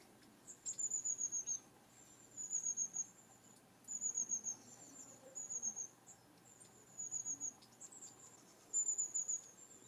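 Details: Long-tailed tits calling 'tsee-tsee-tsee' to stay in contact while the flock travels through trees: six crisp bursts of three or four very high, piercing notes, repeated roughly every one and a half seconds, against a quiet background.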